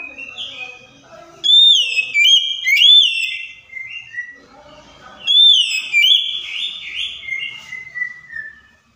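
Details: Oriental magpie-robin song played to prompt a silent bird to answer: two loud bursts of rich, ringing whistles, each sliding and falling in steps, separated by quieter twittering notes.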